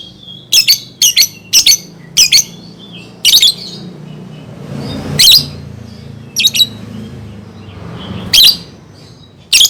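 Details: Lovebird song played to coach young birds: spaced, sharp, scratchy chirps, some in pairs, against a low background murmur.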